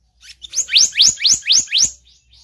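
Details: High, thin rising chirps from a blue-banded kingfisher lure recording, six strong upsweeping notes in a steady series, with softer notes at the start and end.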